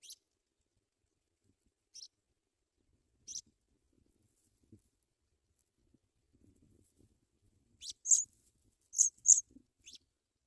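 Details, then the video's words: African pipit chicks in the nest being fed white butterflies by the adults: scattered short, very high thin squeaky calls, a few isolated notes then a louder cluster of peeping near the end, with faint rustling. "African pipit Birds bring white butterflies for babies to eat"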